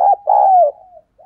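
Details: Single low coo phrase from a captive decoy Spotted dove: a short hoarse note followed by a long, steady coo that slides down and fades, then a faint note, recorded close without background sound.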